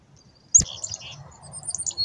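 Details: Black-capped chickadees being hand fed: after a sharp click, a cluster of thin, very high chips and short twittering notes follows, with faint low handling noise underneath.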